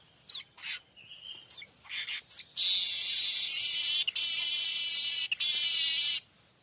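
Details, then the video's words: Streaked weaver singing as a tutor for magpie-robins and white-rumped shamas: a few scattered clicks and a brief whistle, then a long, loud, sizzling buzz of about four seconds, broken by two sharp ticks. "Manyar kembang dor untuk masteran burung kacer &murai batu"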